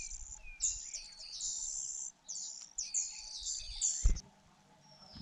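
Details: Fujian niltava chicks begging to their feeding mother: strong, scratchy, high bursts of begging in two main waves, with a soft, low thump near the end.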